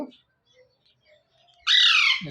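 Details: Alexandrine parakeet, a pet called Alex, calling in the morning: one loud, harsh, rasping screech lasting over half a second, after a near-silent pause and a brief low sound at the start.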